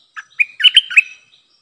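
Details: Streak-eared bulbul decoy for luring wild birds and training young birds: a chirp followed by a rippling run of four or five slurred, bright notes, ending in a trailing tone.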